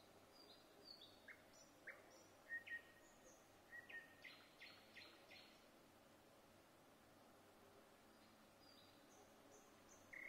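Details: Nightingale singing in Vinnytsia, Ukraine, on 25 May 2024: scattered short phrases of rapid clicks and buzzy notes, with high thin whistles between them, then a quiet stretch over steady background hum.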